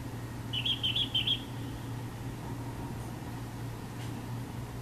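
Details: A Chinese (Light-vented) Bulbul on a university campus in Taiwan sings one quick phrase of four or five bright, chirpy notes, then falls silent, over a low, steady mechanical hum.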